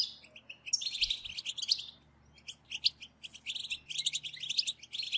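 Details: European goldfinch group chatter for stimulating song. Bursts of high, rapid tinkling twitters and nasal buzzy notes, with a quiet gap in the middle, then another dense burst and scattered chirps.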